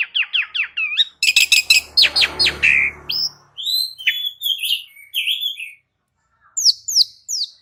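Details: Asian pied starling (jalak uren) training song: rapid clicking and hoarse chatter over a low rumble, followed by varied whistled and squeaky phrases, a pause, then sharp upslurred notes.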